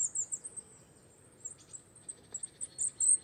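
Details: Wallcreeper, a rare winter visitor to rock faces and quarries in the Czech Republic, gives scattered very high, thin chirps in short bursts, with quiet gaps between them and faint background hiss.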